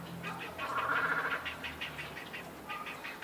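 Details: Grey heron chicks massed at a Tokyo park nesting colony shared with cormorants and night herons, 20 March 2022: fast chattering pulses, almost four per second, swelling in the middle with a harsher nasal tone, then easing off.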